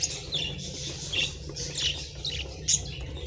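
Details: Budgerigars chirping as they eat favourite treats: a run of thin, high, slightly scratchy tweets spaced irregularly through the moment, with one sharper squeak near the end and a low background hum throughout.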